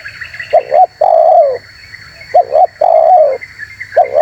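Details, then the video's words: Spotted dove in full, active voice, a recording used to lure wild birds: low hooting coos, each a quick double note followed by a long, drawn, slightly falling coo, repeated twice over a steady high background hiss. "MP3 Suara TERKUKUR GACOR"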